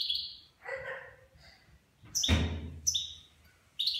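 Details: Nine-month-old goldfinch in Levantine-style song: clear high whistled notes and chirps separated by pauses, with a short thud or knock partway through.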